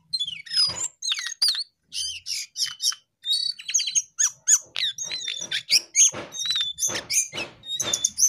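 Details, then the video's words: Jongkangan singing gacor: a long, fast stream of high twittering, buzzy trills and clear whistled notes in quick bursts with short gaps, dense and continuous throughout. "Jongkangan GACOR DOOR"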